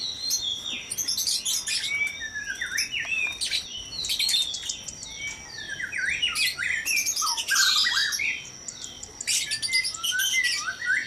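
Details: Noisy white-rumped shama song at dawn from a breeding cage: dense, overlapping high whistles and fast rising and falling sweeps, with scratchy bursts mixed in throughout.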